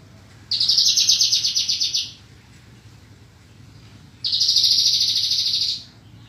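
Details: Javan bushlark from a 2022 set of training recordings for kept birds, giving two separate high, rapidly pulsed buzzy trills. Each lasts about one and a half seconds, with a pause of roughly two seconds between them.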